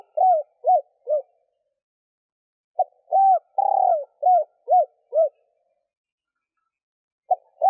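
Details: Hen spotted dove cooing to rouse males: bursts of clipped, arched coos with a longer falling coo mid-phrase, several seconds of silence between phrases, clean recording.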